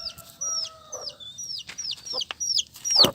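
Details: Colourful chicks peeping: clear high downward-sliding peeps repeated irregularly, with a few lower steady tones early on and a loud broadband burst at the end.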